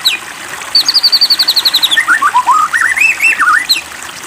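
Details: Murai batu, the white-rumped shama, singing a lure song meant to stir other shamas into full song: a rapid run of high chipping notes, then lower rich warbled whistles rising and falling, closing on a sharp high note.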